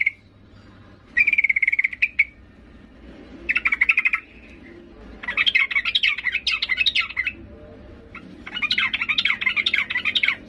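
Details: Female yellow-vented bulbul calling to a male: four bursts of rapid, bubbly chattering notes, each one to two seconds long, over a faint low hum.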